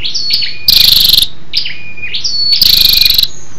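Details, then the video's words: Female Scarlet-backed flowerpecker calling to stimulate males: high, thin, downslurred whistles, each leading into a rapid, buzzy, rattling trill. Two such phrases are heard. "SÂU ĐẦU ĐỎ MÁI RO KÍCH TRỐNG- Giọng MỒI HAY"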